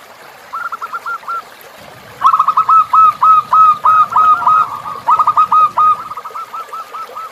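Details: Zebra dove tutor song with river backdrop: a quiet rolling phrase, then a long loud sequence of bubbling staccato coos and drawn notes running for several seconds, fading to softer phrases.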